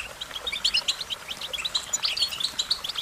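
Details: American goldfinch giving a continuous run of bright, bouncy twittered notes, varied and quickly repeated throughout.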